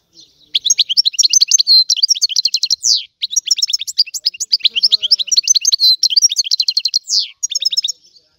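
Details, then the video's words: European goldfinch in full song: lively, high-pitched twittering packed with quick repeated notes, liquid trills and occasional downslurred whistles, barely pausing across eight seconds. "تغريد الحسون"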